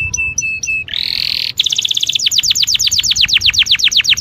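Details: Canary singing, used as a lure to make canaries eager to mate: a few short whistled notes and a harsh buzzy burst, then a long rapid trill of crisp descending chips repeated several times a second.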